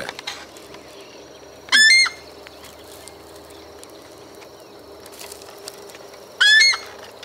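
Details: Giant wood rail, a solitary and much-walking bird of waterside habitats in Argentina, gives two loud, harsh, ringing shrieks about five seconds apart over faint distant birds; an adult feeds a juvenile.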